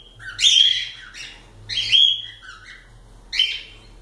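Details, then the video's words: A pet cockatiel repeats loud, rasping rising screeches roughly every one and a half seconds, three calls with softer trailing chirps, recorded close up indoors with faint low hum. "Calopsitas Live de Agradecimento aos 500 Novos Inscritos Canto dos pássaros ASMR"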